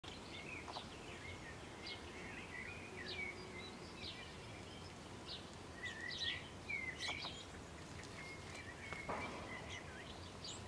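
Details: House sparrow parent feeding its chick, which sits amid the food: the chick begs with thin, repeated chirps and short whistled notes in quick bursts over a steady background hiss.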